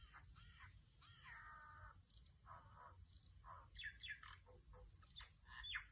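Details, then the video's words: Female mynah bird recorded on an iPhone XS Max making different sounds: a string of varied whistles, a drawn-out nasal note, then sharp chattering squeaks and rising whistled phrases, over a steady low background hum. "Mynah bird making different sounds"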